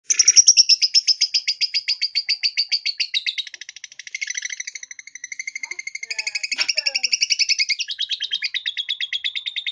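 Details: Caged lovebird clinging to the cage bars, giving its ngekek chattering song: a long, rapid, unbroken run of high, rattling notes, roughly four per second, with shifting pitch and a few brief sharper squeaks midway.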